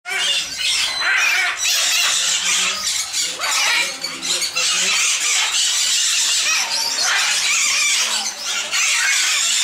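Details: Sun conures at Bošovice Zoo in the Czech Republic give loud, harsh, shrill screeches in dense overlapping bursts, with brief gaps between volleys.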